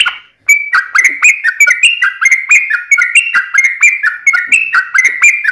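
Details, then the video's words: Yellow-vented bulbul (trucukan) in a long, rapid 'ropel' style song: loud bubbly whistled notes, quickly repeated in chattering phrases that rise and fall, with sharp clicky attacks. A brief quiet gap opens the recording. "SUARA trucukan gacor TARUNG ROPEL PANJANG"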